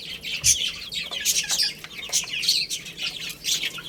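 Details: Several baby chickens chirping as they play and eat: shrill, quick falling peeps in a steady overlapping chorus, punctuated by crisp clicks of beaks on food.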